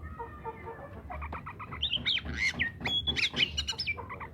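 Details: Oriental magpie-robin song intended to coax silent magpie-robins to sing: soft scratchy notes build into loud whistled phrases with rising and falling slurs, over a steady low hum.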